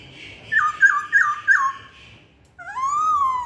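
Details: Masked laughingthrush lure song: three wavering whistled phrases over a faint steady tone, a short gap, then one long rising whistle.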